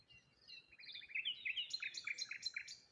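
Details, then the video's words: Morning by a waterside with rose hips and a solitary tree: birds twitter in lively clusters of short, bright chirps that tumble downward and repeat several times a second. "Morning Birds Sounds"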